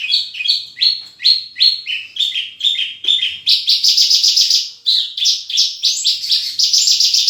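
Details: Horsfield's bush lark in lively gacor song full of isian: downslurred chirps at first, then a denser, higher, buzzier trilling passage that carries on with little rest.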